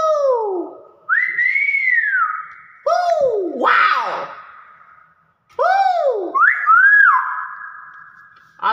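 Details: Hill myna talking nonstop: loud whistled swoops falling and rising, long flat tones and speech-like phrases in bursts separated by brief pauses, with indoor echo.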